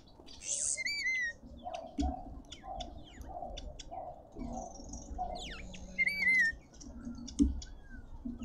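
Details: Red-winged starlings feeding in a suburban garden in Pretoria, South Africa: clear whistled notes with bright overtones at the start and again near the end, scattered short chirps between, over a steady low background hum.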